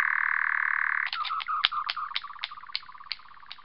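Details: European nightjar in heathland at Locarn, Brittany, where it hides in vegetation by day and sings at dusk: a steady mechanical churring reel, like an old engine, for about a second, then a broken run of stuttering pulses that fades away.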